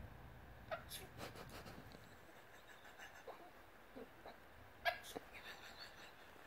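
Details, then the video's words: An Australian lorikeet that loves to mimic imitates a sneeze: sharp, breathy bursts, with two strong ones about four seconds apart, scattered soft clicks and chatter between, in a quiet room. "the mimicking Sneezing Bird"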